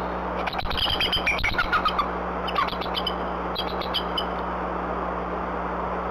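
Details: Adult male bald eagle flies into the nest before dawn and immediately calls to warn off a harassing owl: rapid chattering high piping notes, some falling in pitch, in bursts, then fading, over steady low hum and wingbeat rustles.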